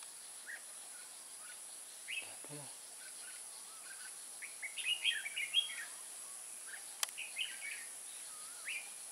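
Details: Wild Red-whiskered bulbuls lured by a decoy bird in Kim Bôi, Hòa Bình, Vietnam, 14 May 2018: brisk chirped and warbled notes, a cluster of loud rapid phrases midway, a low knock and one sharp click, insect hiss throughout.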